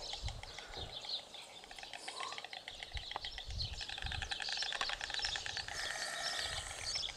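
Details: Rapid, even clicking of a white stork's bill-clattering, a continuous dry rattle that intensifies in the second half, with lighter wind thumps below.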